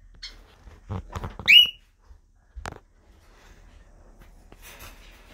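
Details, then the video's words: Parakeets in a group: one bright, upward-sweeping shriek stands out among soft clicks and scratching sounds, then quieter chatter at the end. "Group of Parakeets"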